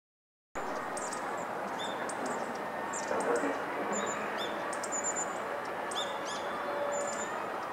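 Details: Hawfinch recorded on 14 December 2013 in morning sunlight, giving short, sharp, high ticking notes at irregular intervals over a steady broad background hiss.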